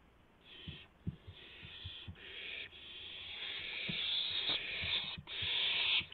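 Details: Owl at its nest just after midnight on April 12, 2016, as a mouse is brought in: drawn-out, harsh hissing screeches that run almost unbroken and build in strength, with soft knocks and bumps of movement beneath.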